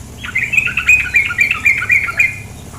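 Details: A female sooty-headed bulbul utters a quick string of squeaky, scratchy chattering notes, roughly eight per second, rising and falling in pitch, while flowing water hisses softly behind.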